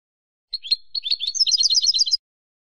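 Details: A single goldfinch phrase from a silvestrismo song collection. A few separate high chirps speed up into a dense, tinkling twitter that climbs higher toward the end, lasting under two seconds against clean silence.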